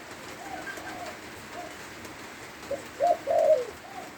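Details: Spotted dove from Lopburi, Thailand, singing in the rain: one short hoarse coo, then a louder two-part cooing phrase near the end over steady background hiss.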